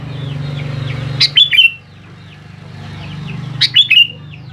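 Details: Sooty-headed bulbul song used to lure young birds into answering: a brief bubbly phrase repeated after about two and a half seconds, with soft background twittering and a low drone.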